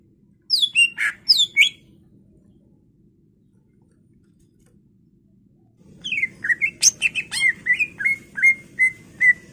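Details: A greater green leafbird, in a recording meant to trigger other birds to sing, gives a few sharp slurred chirps. A pause follows, then a fast run of whistled notes repeated over a rising background rumble.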